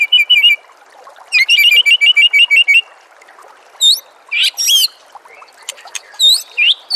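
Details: Master song of a white-rumped shama, meant to train other birds: high rapid trilled phrases of repeated short notes, then scattered sharp, sweeping whistles and buzzy bursts.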